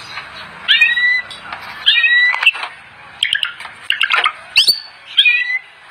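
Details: Gacor white-rumped shama master song: separated bursts of harsh chattering notes with sharp whistled slurs, each burst about a second apart, over faint background hiss.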